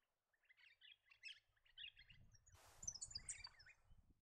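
Yellow-rumped Thornbill giving quick bursts of high, tinkling chips and twitters, several a second; a gust of wind or rustling covers the second half.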